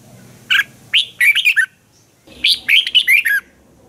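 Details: Red-whiskered bulbul, a Thai cage bird, delivers an energetic training song in two rich phrases of rapid, bright, rolling whistles and chirps, each about a second long, with a short silent gap between them.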